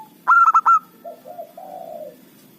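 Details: Local zebra dove singing as a lure for trapping rivals: an abrupt run of four loud, clipped ringing notes, then three softer, lower coos, the last drawn out and falling.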